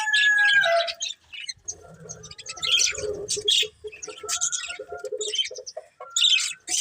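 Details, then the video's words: Budgie-style chirps and scratchy twitters mixed with lower warbled notes and thin whistled slides, in irregular bursts separated by short gaps. "Cute Budgies Chirping Sounds"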